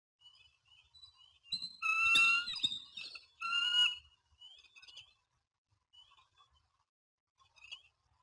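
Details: Bald eagle courtship at Standley Lake, Colorado, 21 April 2020, 07:06, the male approaching a new female: loud piping, whistled notes with a ringing harmonic quality in two strong bursts, then softer scattered high chips.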